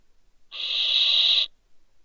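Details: A single drawn-out, rasping hiss of about one second from a barn owl owlet fallen from a balcony in the Riet Vell reserve, Ebro Delta, Spain, late December, steady and harsh, set in otherwise quiet surroundings.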